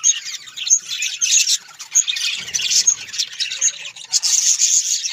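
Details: Budgerigars in captivity chatter with harsh squawks, fast chirps and high whistled tweets, the overlapping voices forming a continuous bright babble.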